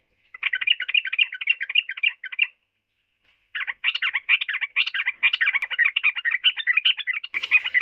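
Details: Yellow-vented bulbul (trucukan) song, a busy bubbling warble of fast jumbled notes, broken by a short silence before a longer, louder chattering stretch.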